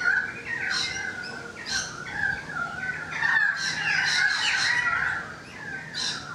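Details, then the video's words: A currawong sings near a balcony, giving rich, ringing, gurgling whistled phrases in a busy, rapid run, broken by sharper bursting notes, over a low steady background hum; other birds are noisy outside. "The Currawong Song"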